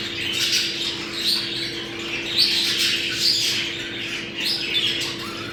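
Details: Budgerigars chattering to encourage breeding: scratchy, rolling warbles with squawky accents, sounds rising and falling in waves, a low steady hum underneath.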